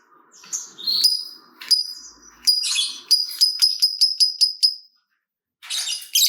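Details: ['A lovebird sings to draw replies from other lovebirds: scattered high chirps give way to an evenly spaced run of about ten sharp ticking notes, then a short noisy burst.']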